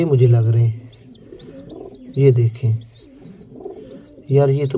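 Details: Baby pigeon kept as a pet gives a string of thin, high, arched peeps, several per second, in a quiet pause between stretches of a man talking.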